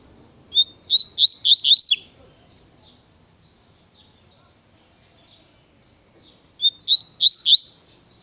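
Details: Double-collared seedeater, a 'natureza' style song called 'tui tui pensa' with a fast delivery: a short phrase of clear whistled notes and quick downslurred chirps, repeated after a pause of about four seconds, in a quiet setting.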